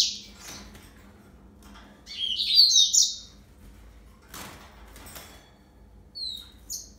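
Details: Yellow-fronted canary giving a brief burst of high, jumbled twittering notes near the middle, with scattered faint chips and a short high whistle near the end. Long quiet gaps separate the phrases.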